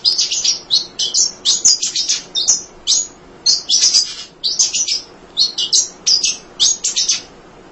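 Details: Munia, kept for training other songbirds, singing tirelessly: a long run of short, high, buzzy chirps in quick bursts with brief gaps, repeated throughout.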